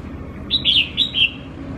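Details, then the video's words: Tame red-whiskered bulbul, settled with people after a week, sings a short clear whistled phrase of three or four linked notes, rising then dipping, loud and close over a faint low hum. "Chào mào thuần sau một tuần đã hót và dạn người"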